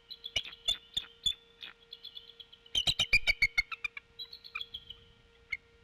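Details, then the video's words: Mother bald eagle at the Decorah N2B nest at 23:00 on 23 April 2016, filmed on infrared at night, giving warning calls and wing whaps at a disturbance: high, piping chatter in quick bursts of sharp repeated notes, pausing between runs. "Mom wing whaps & warning calls"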